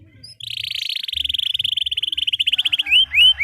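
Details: Canary roll for training young canaries: a long continuous pulsed trill that slows and spreads into distinct beats, ending with two rising whistled slurs.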